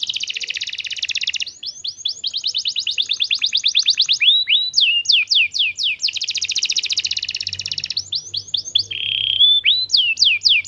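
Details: Canary song used as a lure for young canaries: dense buzzy trill, a long run of evenly repeated chirps, falling whistles, a second roll, and a short steady note among quick slurs.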